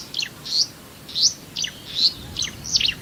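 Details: Marsh warbler song, a species known for weaving imitations of other birds into its singing: sharp high chirps and short downslurred notes in small clusters, roughly one burst every half second, over faint low background hiss.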